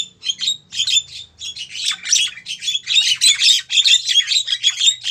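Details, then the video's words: Female Javan myna calling to a male, a lure recording: continuous harsh, rasping chatter of rapid squawky notes, loud and unbroken, with a faint low background hum. "suara burung jalak kebo betina manggil jantan"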